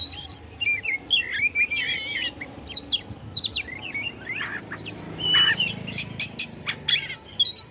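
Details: Oriental magpie-robin from Bandung, Indonesia, singing to provoke other magpie-robins: a varied run of loud, high whistles, sweeping slurs and trilled buzzy phrases with short pauses between bursts.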